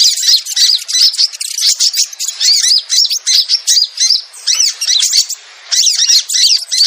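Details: Sogon lure call used to draw wild birds down: a dense, busy stream of sharp, chattering chirps and squeaky notes, bursts in quick succession with brief gaps, nearly continuous, with no other sounds.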